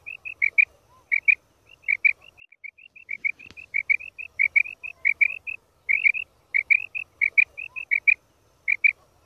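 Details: Female quail, recorded during the 2024 season for hunting use: sharp, high chirping notes delivered in quick pairs and triplets, repeated roughly ninety times a minute in an uneven, continuous series over faint low background rumble.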